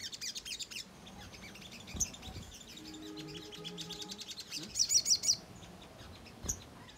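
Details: Ruby-cheeked sunbird singing lure song meant to excite birds into calling back: fast high twittering notes, a low steady hum in the background, then a loud sharp cluster of squeaky chirps.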